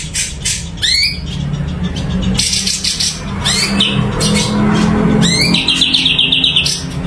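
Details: Blue-winged leafbird (cucak cungko) in a cage, singing lively upswept whistles and a fast chattering trill, over a persistent low hum.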